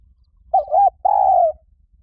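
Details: Spotted dove decoy call meant to attract wild doves: one mellow phrase of two short linked coos, then a drawn-out falling coo lasting about half a second, on a quiet background.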